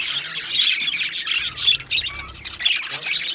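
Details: Pair of male Australian budgies calling, harsh squawky chirps and bright squeaks in uneven bursts, with a short lull in the middle before the chatter picks up again.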